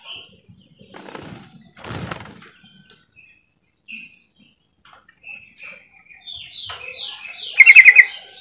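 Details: Yellow-vented bulbul (trucukan) call used as bait to make silent birds sing: scattered soft chirps and rustles, then a rising series of short notes leading into a brief bright bubbly chatter at the end.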